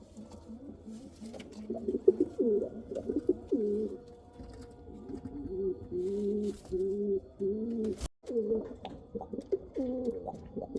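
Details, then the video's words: Domestic pigeons of the Kal Cheeni and Rampuri kinds cooing steadily, with low rolling coos that rise and fall, repeated in quick bursts, then a brief gap and more coos with a faint background hum. "Pigeon sound | kal cheeni kabutar sound | Rampuri kabutar sound"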